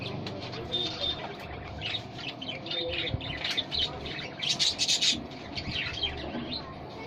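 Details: A pet budgerigar pair, mating and said to be playing rather than fighting, chatter in fast, scratchy bursts of high warbling and chirping notes over a steady low hum.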